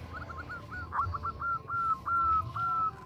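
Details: Female zebra dove calling a male, heard fairly softly: a few quick short coos, then increasingly long, level, slightly falling drawn-out coo notes over a steady low background hum.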